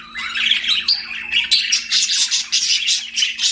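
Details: Budgerigar chirping: a busy stream of warbled, squeaky notes and rapid chatter, bursts of harsh scratchy chirps packed close together with short gaps, steady faint hum underneath.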